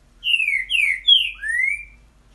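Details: Green-winged saltator singing the boiadeiro style song: four loud whistled notes in about two seconds, the first three slurring downward and the last rising then gliding level, with a quiet low hum beneath.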